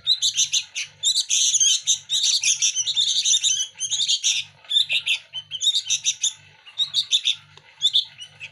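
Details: Young local sooty-headed bulbuls jostle for hand-fed food in their daily feeding; dense harsh, buzzy begging notes in near-continuous rapid bursts, easing into shorter spaced chirps toward the end, over a faint low hum.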